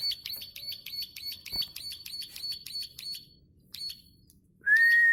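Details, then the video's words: Plain prinia giving a run of high, rapid clicks for about three seconds, then a pause and a short final burst, followed by a loud, sustained rising whistle at the end. "Ciblek sawah gacor ngeklik panjang"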